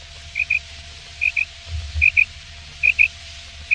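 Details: Male quail calling: repeated paired short clipped notes, each pair about once per second, steady over a faint hum and low rumble.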